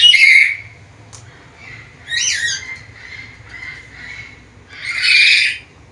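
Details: A talking black-capped lory with a varied repertoire, kept as a tutor bird: a loud squawk, a falling whistled phrase, softer chatter, then another loud harsh squawk, with a faint low hum throughout.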